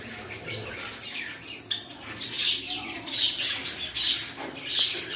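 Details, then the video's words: Pet cockatiels giving harsh, raspy squawks and chirps at an uneven pace, loudest toward the end, over a soft indoor background. "My Cockatiel Birds"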